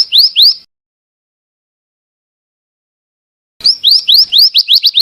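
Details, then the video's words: Calls of a female scarlet minivet: rising whistled notes in quick series, a short pair at the start and a longer run of about eight after a long silence. "suara burung bara api bertina"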